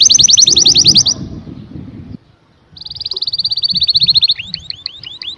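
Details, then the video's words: Canary singing: a fast trill of bright high notes, a pause, then a long even roll followed by repeated sweeping whistles. "The most Beautiful Sound Of Canary - Canary Singing"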